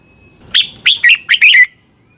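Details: Song of a red-whiskered bulbul from Thailand, used for training caged birds or making them lively: four quick, throaty warbled notes run together and end in a falling whistle, with a soft thin tone before them.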